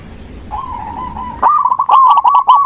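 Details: Zebra dove song for waking a dove that stopped singing: a faint drawn-out coo, then a loud sequence of rapid, rippling coo notes with high bird chirps mixed in.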